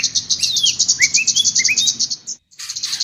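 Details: Master song for training cage birds: rapid high chirps repeated about four times a second, with interwoven rising whistled slurs, a brief pause, then the chirping resumes over a faint low hum.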